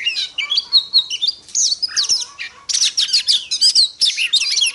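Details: Oriental magpie-robin hen used to stir male birds into song: clear high whistled notes at first, then bursts of rapid twisting, chattering phrases packed tightly together, loud and continuous.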